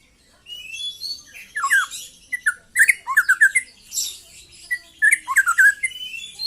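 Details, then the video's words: A young white-rumped shama practising trotol song, delivering a lively string of downslurred whistles and scratchy chips in quick phrases, steadily repeated with brief pauses. "KICAU BURUNG MURAI MUDA LEPAS TROTOL"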